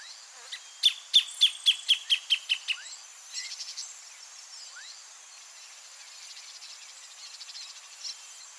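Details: Greater thornbird (Phacellodomus ruber) sings near its nest in the breeding season: a quick run of about eight sharp, high chipping notes, slightly falling in pitch, then a faint buzzy insect-like hiss.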